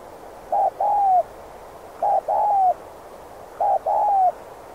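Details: Cu gáy, the spotted dove, in a lure recording for trapping wild doves: three phrases, each a short flat note then a long drawn-out coo sliding downward, roughly every one and a half seconds.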